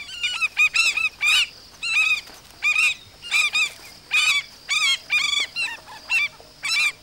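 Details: African skimmers calling in alarm while protecting chicks in their first days of life from a monitor lizard: loud, harsh, yelping notes with overtones, given singly or in quick pairs roughly every half second.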